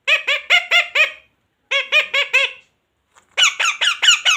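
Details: Indoor pet parrot giving three rapid series of short, harsh harmonic squeaks, about four to six per series, briefly separated by silence.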